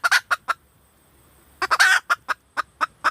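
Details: Red junglefowl hen calling: a few loud clucks, a pause, then a harsh drawn-out note followed by a series of sharp clucks at a steady pace.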